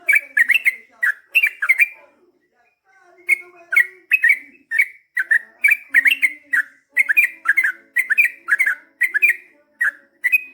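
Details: Energetic gacor song of a yellow-vented bulbul in long ropel style: bubbly, warbling chirp phrases repeated steadily, a short pause near the third second, then a continuous run of rich liquid notes.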